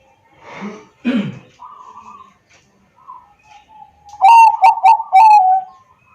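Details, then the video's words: Bangkok zebra dove from Wiradesa, Pekalongan, Central Java, phone-recorded as a lure for quiet doves; rustling and a soft hum lead into a loud, rapid run of trilled, bubbling coos near the end. "pancingan perkutut bangkok agar bunyi dan gacor setiap hari"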